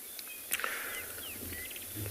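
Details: Chattery fork-tailed drongo resting in shade on a warming morning game drive, 27 March 2021, South Africa, giving quick thin whistled slurs and metallic notes, some rising, some falling, over a sharp click and low background rumble.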